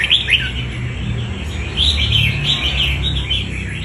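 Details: Wild-caught red-whiskered bulbul of strong fighting quality, singing a run of bright, quick warbled and chirping phrases in a high register, over a steady low hum.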